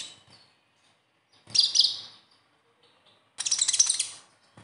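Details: Konin sunbird in besetan style: two separated high bursts, the first a smeared buzzy chatter, the second a quick run of sharp ticking notes, with near silence between. Played to prompt captive konin to sing.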